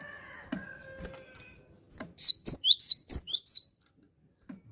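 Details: Cinereous tit, called gelatik batu, singing constantly: after a faint hum and taps comes a rapid series of about seven shrill, swooping two-part whistles.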